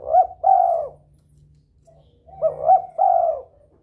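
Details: Two loud phrases from a spotted dove in breeding mood, sung to stimulate rivals. They come about two and a half seconds apart, each made of two short rising coos and a long throaty croon.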